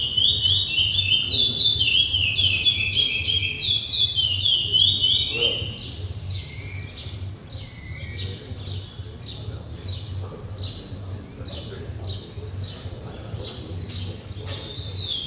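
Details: Chestnut-bellied seed finch (curió) pouring out a rich, rapid whistled warble for about six seconds, then breaking into scattered short sharp chips and clicks, with a steady low electrical hum throughout.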